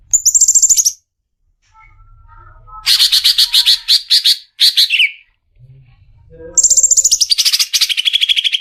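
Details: Greater green leafbird giving a lively, loud song. High chattering trills and rapid repeated notes come in bursts, with a brief pause midway, then a fast descending series of sharp, ringing chips.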